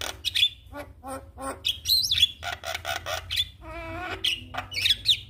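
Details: A Javan myna, normally slow to sing, reacts to a played lure call of its species with a mix of sharp whistles, harsh squawking notes and a rattling, stuttered phrase, delivered in quick irregular bursts.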